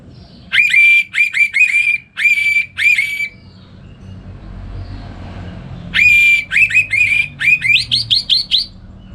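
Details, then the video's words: Orange-headed thrush in North Bali, Indonesia, singing in the morning at home as a song model for other songbirds; two bursts of loud repeated whistled phrases, each note sharply rising, separated by a quiet pause. "Pagi Hari Hari ANIS MERAH Ngeplong Gacor Untuk Pancingan & Masteran Burung Dirumah"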